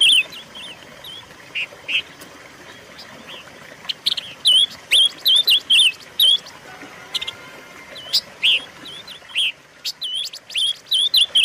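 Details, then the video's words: Silver-eared mesia, recorded as a lure and training tape for caged birds, gives scattered curling whistles and short chips at irregular intervals, some phrases louder and others faint. "pancingan dan masteran suara burung pancawarna"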